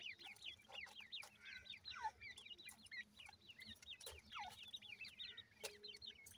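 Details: Grey francolin family with newly emerged chicks, new season. Soft, high, rapid peeping notes repeat in a continuous overlapping stream, with occasional short knocks and rustles in the background.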